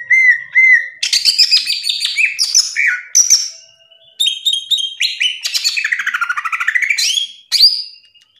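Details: Captive-style greater green leafbird singing hard in the ngerplong manner: varied whistles, sharp chirps, buzzy trills and a long fast rattle dipping low then rising, with brief gaps between phrases.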